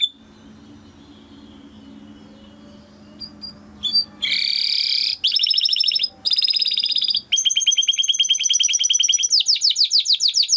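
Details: Timbrado canary training song. About four seconds of quiet with a faint low hum come first. Then loud buzzy rolls arrive in bursts, followed by a long fast pulsed trill and quick sweeping notes.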